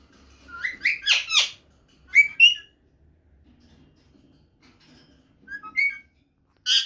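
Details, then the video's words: Female rose-ringed parakeet call said to excite the male and set him searching for her: bursts of high whistled, sliding chirps and sharp squeaks in clusters with pauses, over a faint low rumble. "هذا الصوت يجعل ذكر ببغاء الدرة مجنون ويبحث عن الصوت"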